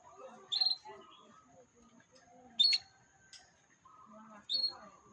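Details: Canary lure recording meant to make a young bird start singing: three loud, high, clipped chirps spaced roughly two seconds apart, separated by quiet low warbling and faint background chatter.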